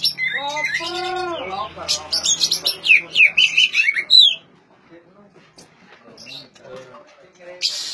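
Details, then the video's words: Oriental magpie-robin song meant to get non-singing magpie-robins to start singing: a dense four-second burst of varied whistles, rattles and rising sweeps, then near silence with a few faint notes. "suara asli kacer untuk memancing kacer macet bunyi"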